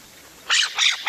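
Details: California scrub jay giving three harsh, raspy notes in quick succession, each arching up and down, about a third of a second apart, as an example for telling alarm calls from other calls.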